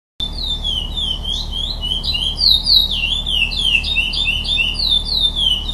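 A bird sings a fast, continuous run of high, sweet whistled notes, rising and falling, with a faint low hum underneath.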